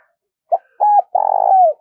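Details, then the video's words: Spotted dove call used to excite decoy birds: a short hoot, a level sustained note, then a long vibrating coo gliding down at the end, clear against silence. "tiếng chim cu gáy thúc và gáy gọi dùng kích bổi tập mổi rất hiệu quả"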